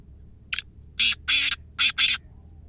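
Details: Black francolin, a wild desi bird from Sindh: a short, loud, harsh sequence of grating, squawking notes, one short note followed by two pairs of longer rasping calls, over faint low hum.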